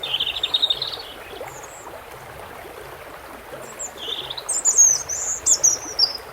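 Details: Water sounds with a European robin: a short high twittering phrase opens, then mostly running-water hiss, before a brief rising note and a final burst of very high, thin, warbled notes.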